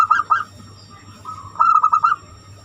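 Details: Zebra dove, banyumili song style used as a lure for other birds; a few short coo notes, then a tight run of rapid pulsed coos, over a faint steady hum.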